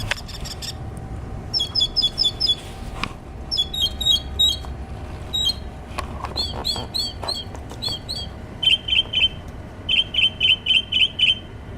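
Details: Wild bird singing outside a studio: bursts of short, high chirps delivered in quick groups, then rapid trilled runs of clipped notes and a final series of sweet, repeated whistles, over a steady low hum.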